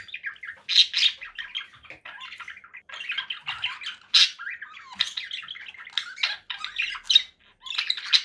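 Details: Conure parakeet keeps up steady scratchy chatter mixed with sharper squawks at intervals, a dense stream of short notes with only brief pauses.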